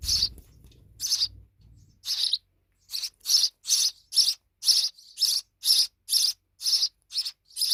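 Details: Young sparrows, babies now grown big, giving bright high chirps repeated about once a second, each note a short burst; a low rumble underlies the opening two seconds, then the chirps continue over quiet.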